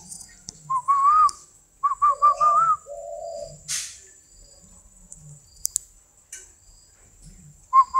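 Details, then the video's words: Caged spotted dove of the 'cườm vàng' yellow-necklace type, kept for breeding: a run of short, clear rising whistled notes, then two low, rough drawn-out coos, followed by quiet with faint clicks and a final whistled note. "chim cu gáy"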